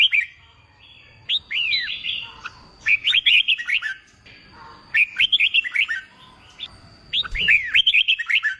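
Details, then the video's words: Training song of a red-whiskered bulbul for contest birds: bursts of rapid, slurred whistled notes, each phrase lasting about a second, repeated four times with quiet gaps and faint background hum. "Kích bổi nghe là hót, luyện chim hót đấu, luyện chào mào bổi sổ giọng"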